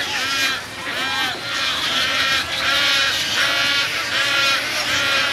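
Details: Tricolored herons at a Florida nesting site in 2014, adults feeding chicks of various ages; loud, harsh, nasal rasping calls with rich stacked overtones come in repeated arching bursts about once a second, nearly continuous.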